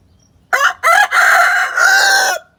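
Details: Chicken crowing in response to a played recording of a hen: one loud, drawn-out crow in several segments, a short opening note then a long, strained, wavering phrase lasting nearly two seconds in a quiet setting.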